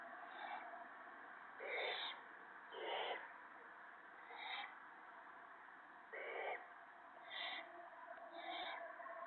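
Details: Owls at a nest where an adult feeds a gopher to owlets, evening of March 28, 2017: short, rasping hiss bursts repeated about every second or two, seven in all, some stronger than others, over constant background noise.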